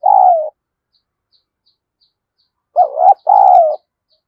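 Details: Decoy spotted dove cooing to provoke a fight, in the 'thổ' voice style. The tail of one long coo, then after a pause a full short-then-long coo phrase, over faint high ticks.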